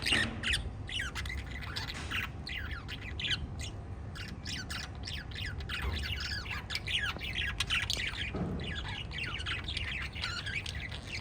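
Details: Five lovebirds chirp in a dense, continuous chatter. Rapid shrill notes overlap almost without pause, some slurring down in pitch, over a constant low hum.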